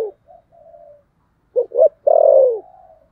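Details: Spotted dove giving a contest coo of the thổ sấm style: soft, low murmuring notes, then two short punchy coos and a loud, drawn-out, downward-sliding coo, in an otherwise quiet setting.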